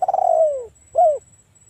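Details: Spotted dove cooing to lure a rival into calling back: a fluttering, rolled coo sliding gently downward, followed after a short pause by one brief, lower coo note.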